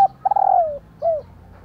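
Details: Female spotted dove calling to set males cooing: the tail of a phrase, a long rippling coo sliding down in pitch followed by one short curved coo, low and soft.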